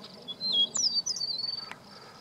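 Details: A meadowlark at Rocky Mountain Arsenal on 13 June 2016 sings a short phrase: high, clear whistled notes slurring downward, then a quick stuttering run. Faint background noise.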